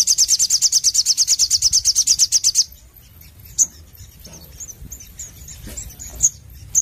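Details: Crimson sunbird (sogon) in busy 'nembak' song: a fast, steady trill of very high, sharp repeated notes for nearly three seconds, then sparse high chips and soft twitters.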